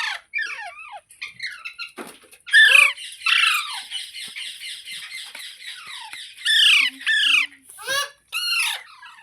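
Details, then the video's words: Green parrot said to be talking. It makes varied raspy squawks and strained, screechy phrases, with a long drawn-out harsh call in the middle and a burst of loud, falling shrieks near the end. "Green Parrot Talking | Funny Parrot Sounds Videos | मिट्ठू की आवाज़ | तोते की आवाज़"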